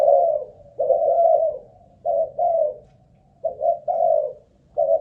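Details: Captive spotted dove used as a ground decoy, Malaysian line, during a stamina test: soft throaty coos, a long drawn note then paired short ones, phrases separated by about a second of quiet.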